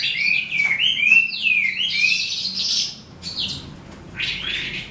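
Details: At the close of the day an eastern calandra lark sings clear, swooping whistled slurs followed by a buzzy rattling phrase, a pause, then a short harsh burst.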